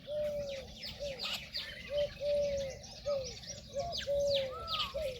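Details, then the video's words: An Indian peahen gives short, arched, mid-pitched honking notes, about a dozen in quick irregular series, over busy high chirping from other birds. "Peahen bird the Indian peacock/most clear sound"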